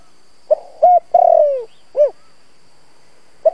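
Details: Decoy spotted dove in full voice, used to call in wild doves: short note, steady hoot, a long rolling coo that falls in pitch, and an arched final note, with the next phrase just starting at the end.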